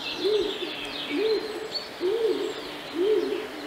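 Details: Common Cuckoo in Central Russia giving low, soft hooting notes that dip at the end, four in a row about once a second, with thin high chirps from other birds behind.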